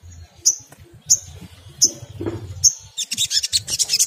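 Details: Crimson sunbird in 'ngriwik kemrecek' song, a lure to set other sunbirds singing: four piercing high notes spaced about every 0.6 seconds, then a rapid, dense burst of chattering twitters.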